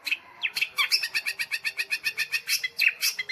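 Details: Rapid nitik-style ticking from a long-tailed shrike: sharp, even clicks at about five per second, with occasional brighter whistled chirps on top.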